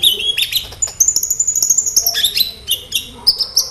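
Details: Sunbird, known as kolibri ninja, in a continuous dense song: rapid high chattering and thin sustained whistles, almost unbroken for the first half, then separated sharp phrases.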